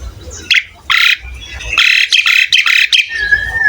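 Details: Asian pied starling (jalak suren) singing prolifically on a training recording for young cage birds: loud raspy squawks, several in rapid succession, ending in a thin level whistle.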